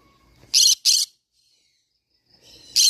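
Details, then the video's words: Green-cheeked conure producing a pair of loud raspy screeches, a long silence, then another harsh screech starting. "green cheek conure parrot sound"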